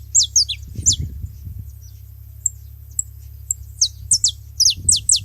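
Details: Several saffron finches gathered at a feeding spot, giving clusters of high, steeply descending whistled notes separated by a quiet stretch of faint ticks, with a constant low background rumble.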